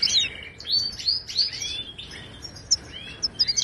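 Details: Brief excerpt of Moroccan goldfinch song in the Widani style, used to tutor caged birds: a few high slurred whistles and twittered notes, softer toward the end, with short sharp chips.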